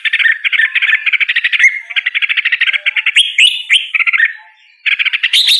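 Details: Red-whiskered bulbul uttering a long, rapid series of evenly repeated notes, like a fast chattering trill, broken by a few looping whistled slurs, a short silence, then a rising squeaky phrase.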